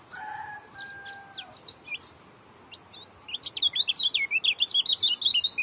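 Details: Oriental white-eye in short-speed singing style. Opens with a lower, steady tonal sound and a few scattered high chirps, then breaks into a rapid, dense string of bright, twisting whistled notes.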